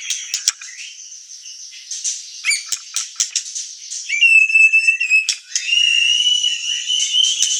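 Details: Murai batu, the white-rumped shama, in full song as a lure and master recording: quick chipping notes, then long steady whistled tones held for about a second, rich and loud.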